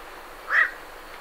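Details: A single short, harsh croak from a night heron leaving its roost, abrupt and clear above a quiet hiss, with great reed warblers in the background.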